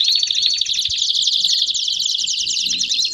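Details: Several canaries singing at once in baderna style, meant to warm up other canaries: a packed, rapid, buzzy high trilling with a few rising whistles at the start and end.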